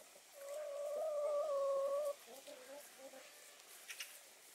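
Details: Hens sunbathing, a flock of Spanish white face and Australorp black hens; one long, steady, level note held for nearly two seconds, followed by softer low murmuring calls and faint background noise.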